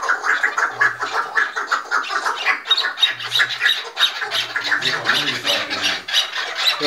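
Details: Chukar partridges, a group of five, calling in agitation as they fight: loud raspy squawking chucks that turn higher and harsher toward the middle, tightly overlapping, with a few short low hums beneath.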